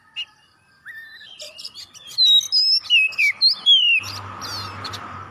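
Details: Oriental magpie-robin song for prompting other birds: soft notes building to a run of loud clear descending whistles, then broad hiss and hum at the end.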